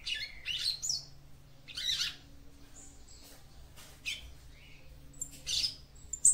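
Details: Capped seedeater female singing to stimulate the male, heard as rough, buzzy high chirps in separate bursts about a second apart, with one short thin whistle and a soft low hum behind.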